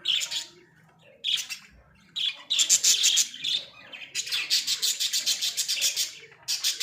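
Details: Caged Australian budgerigars kept as pets chatter in bursts of harsh, buzzy chirps and warbles, separated by short gaps, rising into a long fast pulsing sequence near the end.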